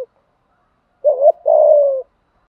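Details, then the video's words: Spotted dove giving a fighting coo, used to spur and train decoy birds to sing along: a short low double note followed by a longer, steady, slightly falling coo, in quiet surroundings. "chim cu gáy thúc đấu và gù đấu kích bổi rất lẹ gáy. tiếng chim cu gáy dùng luyện mồi gáy theo"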